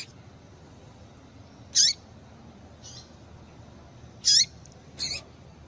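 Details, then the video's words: Double-collared seedeater female calling to stir up males: three brief, high, piercing notes, two close together near the end, separated by silence with faint background hiss. "Piado de Fêmea de Papa capim Para Esquentar Papa capim"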